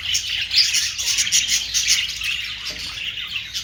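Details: Steady high budgerigar chatter, packed scratchy chirps and whistles with no pauses, over a faint low hum.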